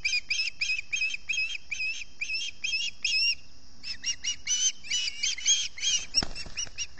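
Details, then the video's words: Osprey at the Salt Point nest camera in early morning, hunger begging: rapid series of short, high, chirping whistles in quick bursts, some notes slurred upward, continuing with little pause. "Early morning hunger pains"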